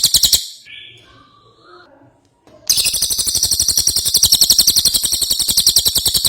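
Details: Ashy tailorbird (cililin) singing energetically as a tutor recording for songbirds; a short burst of high chatter, a quiet gap with faint thin notes, then a long, steady, rapid trill of sharp buzzy notes.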